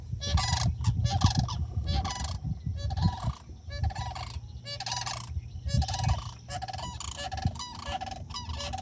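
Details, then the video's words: Florida sandhill cranes crying at night: loud, rolling, rattling bugles in long bursts, repeated one after another with short gaps, over a low background hum. "night sound cries of the FL sandhill cranes"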